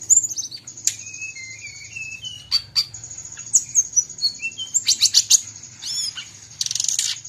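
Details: Lively Bali brown-chested jungle flycatcher, recorded among other bird sounds. Clear falling and rising whistled notes in a loose phrase give way to bursts of dense chips. A constant thin high tone runs underneath.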